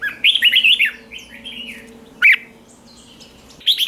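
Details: Morning song of a caged Red-whiskered bulbul, trained in the 'ché' style: a rolling run of slurred, warbling notes opens, followed by a quieter stretch and two abrupt bright notes.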